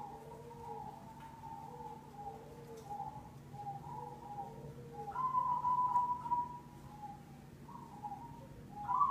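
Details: Zebra dove, a black cemani perkutut, in a lure recording: soft, mellow cooing notes in short repeated phrases at two alternating pitches, rising to a louder, brighter ringing note near the end over a steady low hum.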